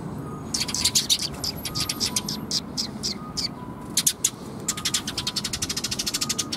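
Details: Several sparrows coming in to be fed at a water bridge, 1 April 2021, give clustered sharp chirps that speed into a rapid, even chattering series near the end, with a faint low hum beneath.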